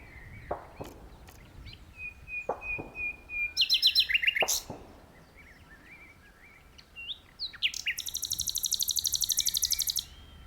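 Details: Nightingale singing in a tree: a sustained thin whistle, loud clicks, a burst of rapid repeated notes, quieter twitters, then a long, steady buzzing trill of closely spaced pulses.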